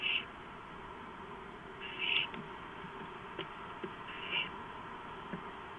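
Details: Barn owl at the nest just before midnight on 2 April 2015 while a gopher is brought in: three rasping, hissy screeches spaced about two seconds apart, plus a few soft clicks and scratches between them.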